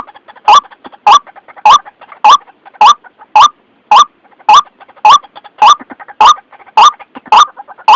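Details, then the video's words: White-breasted waterhen lure call used by trappers: very regular strong croaking notes about every 0.6 seconds, each with softer quick notes in between. "Suara pikat ruak ruak paling jitu"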